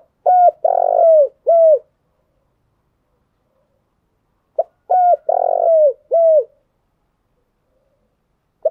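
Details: Spotted dove decoy song used to excite and train caged lure birds: two phrases about four seconds apart, each a clipped note, a clear coo, a long rough buzzy coo and a final falling coo, in quiet surroundings.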